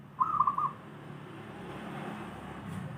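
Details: A single short, trilling, warbled coo from a local wild zebra dove, then only a low background rumble and faint hiss.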